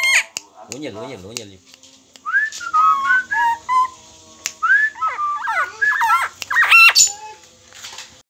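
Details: Cagebird from Lombok, locally called koak kaok, singing actively while held in the hand: a quick zigzag trill, then a string of varied whistled, sliding notes and sharp high accents.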